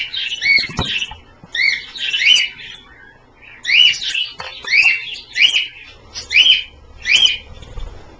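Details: Several pet Australian parrots at a dish bath of slightly cool water; short, sharp chirped notes come in separate bursts about every second, each note rising then falling, with a faint low rumble beneath.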